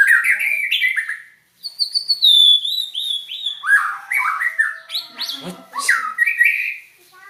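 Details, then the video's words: White-rumped shama singing an unusual, strange-sounding song: a rich, varied run of clear whistles, sliding and warbled phrases, and sharp rising and falling sweeps, loud and continuous apart from one brief pause. "Burung Murai Batu..Dengan Suara Aneh.."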